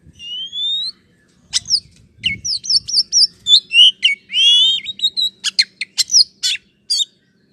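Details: Oriental magpie-robin song used to provoke a slow-to-respond bird into a quick reply: varied bright whistles, rising and falling slurred notes and sharp clicks in quick succession, with a faint low hum beneath.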